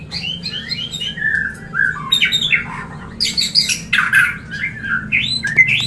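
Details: Mating call of a white-rumped shama, used to bring birds into breeding condition. Varied sweeping whistles and slurred notes are broken by harsh, scratchy bursts in quick succession over a constant low background hum.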